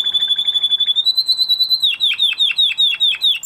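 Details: A male canary training after his moult: a clear, high, steady whistle held for almost two seconds, stepped slightly higher, then a fast run of about five sliding notes per second.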